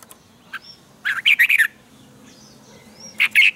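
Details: Red-whiskered bulbul singing a morning training song in the tense double twisted-note style. A few short, bright warbled bursts come in two clusters, with quiet gaps and faint distant chirps between them.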